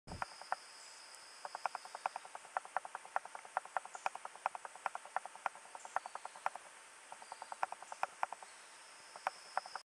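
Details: White-breasted Wood-Wren at Potes, Pacific Chocó, Colombia, in May 2011, giving dry, sharp ticking notes in an irregular stream, about two or three a second, over a steady high insect drone.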